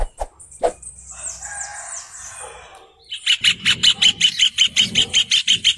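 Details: Rufous hornero singing: after a few scattered notes, a fast, even run of loud, sharp, high notes starts about a third of the way in and keeps going, roughly seven notes a second, to the end.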